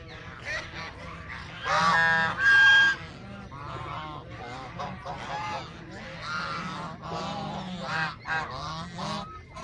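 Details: A flock of Canada geese honks continuously. The rapid, uneven calls overlap, with two especially loud honks early on and a steady chorus of nasal calls after.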